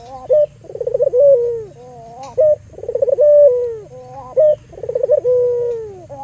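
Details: Albino Barbary dove used as a lure to get other doves calling. A brief flat note is followed by a bubbling, tremulous run and a drawn-out descending coo, repeated three times at a steady pace.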